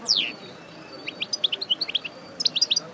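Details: Parva European goldfinch, a breeding bird just after moult, singing. A sharp descending note opens, then bright, liquid twittering notes come about ten per second, with a brief pause and a renewed burst.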